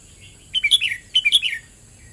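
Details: Red-whiskered bulbul in "เบิ้ลริก" song style: two matching phrases of four or five quick warbled whistles, each dropping to a lower slurred end note, about half a second apart. A faint steady hiss fills the background.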